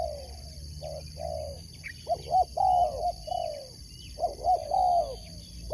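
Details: Spotted dove kept as a sport competition bird, repeating its cooing phrase twice: soft short coos building to loud hooked notes and a long slurred falling coo; scattered high chirps from other birds and constant high-pitched hum.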